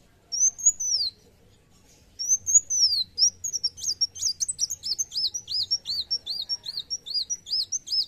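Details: ['Olive-backed sunbird in fighting mood: two long slurred high whistles rising and falling, then a quickening stream of sharp chirps and arched notes repeated rapidly.']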